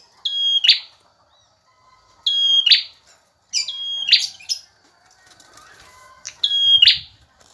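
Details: Singing male bar-winged prinia, a tutor song for other birds: four high whistled phrases, each ending in a buzzy rasp, spaced about one and a half to two seconds apart, with faint background notes.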